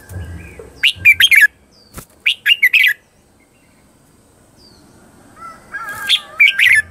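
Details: Lure song of a red-whiskered bulbul, used for training and calling in wild birds: three quick bursts of bright, slurred whistled phrases separated by pauses, with low rumbling noise in the background.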